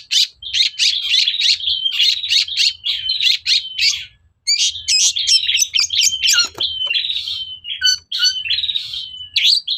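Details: Long-tailed shrike song meant to provoke other shrikes into singing back: a dense, continuous chattering stream of scratchy notes over a sustained thin whistle, a short pause, then mixed sharp clicks, downslurs and buzzy phrases.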